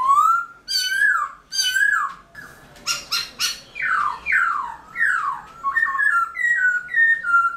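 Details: Black-throated laughingthrush (Garrulax chinensis) singing in the early morning in a wild-style voice with many voice changes. Loud slurred whistles are followed by a burst of harsh notes, then steeply falling whistled sweeps and short repeated whistled phrases. Faint background hiss.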